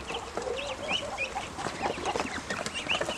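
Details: Hungry, grown ducklings peeping steadily: many quick, high, arched peeps, some rising and some falling, following one another rapidly and overlapping, over a low background murmur.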